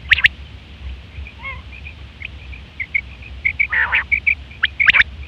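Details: Female quail call meant to attract quails for trapping: a sharp click pair, then soft, evenly spaced little chirps, a brief wavering note and a rough nasal burst, closing with more clicks over low hum.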